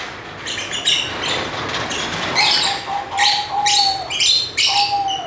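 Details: Lovebirds chatter busily, with rapid scratchy high chirps running almost without pause. A lower, thin whistled tone sounds twice near the end, all over a constant hiss.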